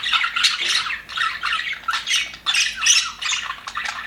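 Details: Happy budgies in an aviary give pulsing bursts of scratchy warbling and sharp chirps, coming in waves about every half second.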